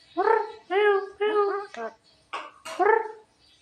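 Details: Javan myna, a pet bird described as clever, indoors. It gives a series of harsh, nasal, harmonic notes, each about half a second long, then sharp clicks and a final nasal note.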